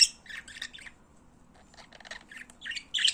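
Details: Pet budgerigars chattering in song, bursts of scratchy chirps and squawks that start loud, fade into soft broken twitters mid-phrase, then rise again at the end over a faint background hum.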